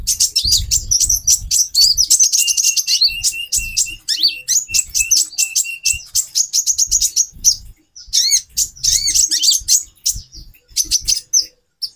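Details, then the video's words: Captive female brown-throated sunbird calling to boost a male's mating drive: a long, fast stream of high chirps and thin slurred notes with rising inflections, over faint low thumps. "Burung Konin Betina 4x terapi birahi. menaikan birahi jantan"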